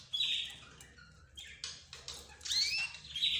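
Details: A mix of caged birds, namely budgerigars, zebra finches and canaries, gives high chirps. The notes include a thin whistled note, a few short buzzy calls and overlapping rising sweeps toward the end.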